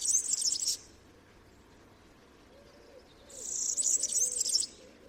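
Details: European Serin singing: a short high jingling twitter, then silence, then a longer burst of rapid, high-pitched tinkling notes lasting over a second.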